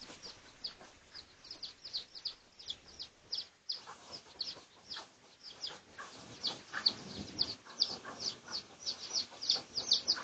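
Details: Red junglefowl of the Pradu colour variety, recorded for research on 18 August 2023: a rapid, irregular run of shrill, short downslurred peeps, about two or three each second, getting louder and denser in the second half.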